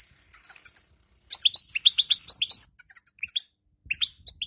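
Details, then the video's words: Female European goldfinch twittering in the 'bitbita' style meant to train a weakened male after moult: high tinkling chirps opening into a fast string of rising, slurred whistled notes, broken by short silences. "بتحب يكون حسونك قوي بعد غيار الريش أسمعه هذه البتبته وشاهد النتيجه |بتبته وستسته للحسون الضعيف"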